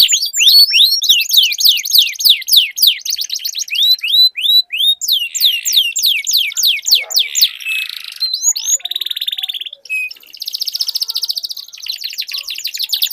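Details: Two canaries duelling with long rolled song: fast falling notes in series, then buzzy trills, short steady tones and extended rattling rolls, high and continuous, faint ticking in places.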